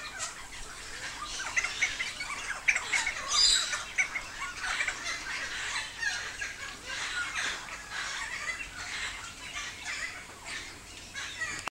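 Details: Helmeted Friarbird song: harsh, raucous squawks and cackling notes in a near-continuous jumble, loud and grating, over a steady wash of background hiss.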